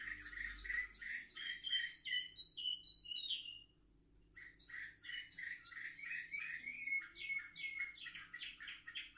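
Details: Young canaries, seven months old, filmed indoors on 10 November 2023, sing dense, varied twittering trills that break off briefly midway and then resume as rapid chattering phrases with a drawn-out whistled note; a faint steady hum lies underneath.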